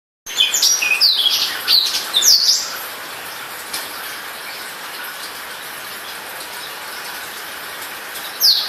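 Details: A newly bought black-throated canary (Serinus atrogularis) sings a quick, high series of twittering and trilled notes for about three seconds, then pauses a long while before one more phrase, over steady hiss.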